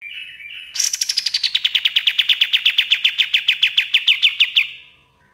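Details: After a soft lead-in note, a Common iora launches into a dense, fast trill of about thirty clipped notes that slowly descends in pitch, from bird-training master audio.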